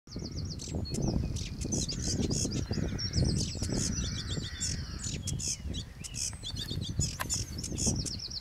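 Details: Sedge warbler south of Rubane on the Ards peninsula singing a fast, chattering song of high buzzy trills and repeated scratchy notes without pause, over a steady low rumble of wind.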